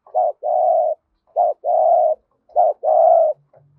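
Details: Decoy spotted dove in hap boi voice, calling to excite wild doves: three even phrases, each a short clipped coo then a longer steady coo, repeated roughly every 1.2 seconds.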